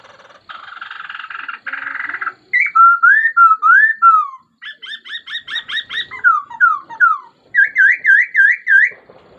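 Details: Laughingthrush in full song: harsh, scratchy buzzes, then loud slurred whistles, quick repeated chirps, falling notes and a final series of bouncy, wavering whistles.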